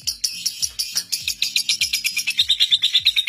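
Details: Record-holding lovebird in ngekek, a seven-minute non-stop trill used as training master for young lovebirds; fast, scratchy high chatter pulses without pause, sharpening into thin squeaky notes toward the end, with faint low background tones.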